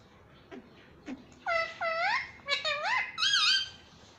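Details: {'caption': 'Parrot indoors speaking mummy papa: two soft clicks, then a run of four loud, harmonic, human-like syllables with swooping inflections over about two and a half seconds.'}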